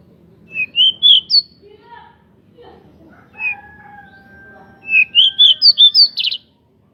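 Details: Wing-spreading local pied bushchat singing as a provocation lure for other bushchats: two runs of sweet, quick whistled notes rising in pitch, the second ending in a buzzy burst, with a long steady whistle and soft murmurs between.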